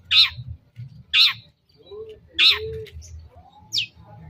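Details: Long-tailed shrike, lure recording for provoking a reply: three loud, grating, buzzy calls about a second apart, then a thin downslurred whistle, with soft low whistles and background rumble between.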